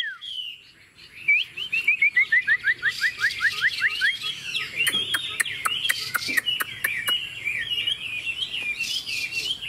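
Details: Chinese hwamei, tame caged bird singing confidently on a table: rapid series of short descending whistled slurs, then busier overlapping phrases with sharp clicking taps in the background.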